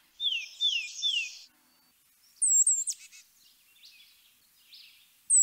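Tufted Titmouse giving three loud, clear, down-slurred whistles, peter peter peter, followed by higher chips and twitters from other birds.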